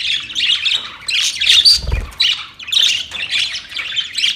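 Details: Group of budgies calling back and forth in bursts of shrill, buzzy chirps and squawks, with a soft low thump around the middle.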